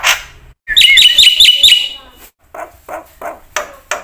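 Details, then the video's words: Black-winged myna song used as a training lure for other mynas; a short rising whistle opens a quick run of bright chattering notes, followed by softer, lower, separate calls. "suara jalak putih gacor full isian ini pancingan masteran burung jalak bengong auto plong"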